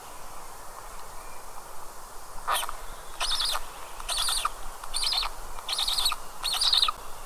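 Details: Two black stork chicks in a nest at Karula National Park, Estonia, on a nest camera at 19:40 on 29 May 2022, calling in two different voices: repeated buzzy, pulsed rattling bursts about once a second over steady background hiss.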